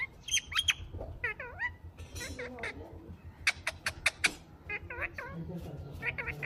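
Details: Chattering green parrot kept as a pet: dense mix of sharp chirps, bent voice-like calls and clustered squeaks, some in quick runs of three or four.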